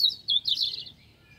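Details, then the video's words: A European robin sings in a tree at Avenham Park, Preston, in 2019: a brief, high, thin warbling phrase of a few quick sweet notes rising and falling over about a second, with no other sounds. "Robin Singing"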